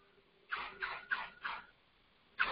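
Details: Red-bellied Woodpecker call, heard in November at Richfield Heritage Preserve, Ohio, and once mistaken for a robin, played over a speaker: four short harsh chiv notes about three per second, one more after a pause, faint electrical hum.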